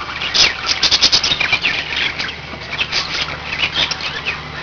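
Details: A group of pet budgerigars gives a busy stream of high chirps, squeaks and warbles. Brief sharp clicks come near the start, over a faint constant low hum.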